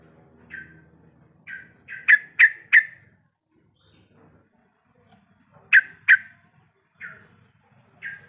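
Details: A female sooty-headed bulbul in breeding condition calls the male with scattered short, slightly falling notes and clusters of two or three loud, sharp chips, separated by quiet gaps of a second or more.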